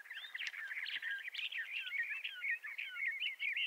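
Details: Bendire's thrasher singing in western North America, a continuous rambling warble of quick slurred whistles, rising and falling loops strung together without pause, sweet and musical, with faint clicks behind.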